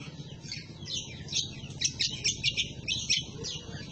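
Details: Green leafbird (cucak kombo) in lively, scolding ngomel chatter, kept as a master recording for training other birds: rapid, high, scratchy chips and twittering notes in an uneven run, over a steady low hum.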